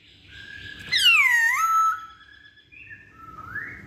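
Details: Poksay Hongkong (masked laughingthrush) lure song for pancingan: one loud, rich whistle that sweeps down and levels out, followed by softer steady and rising tones.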